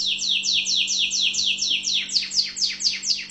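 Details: Tunisian orange canary, known locally as mfa7el, singing a rapid series of descending whistled sweeps, about two per second, bright and steady, slightly slower and more spaced toward the end, with faint low hum behind.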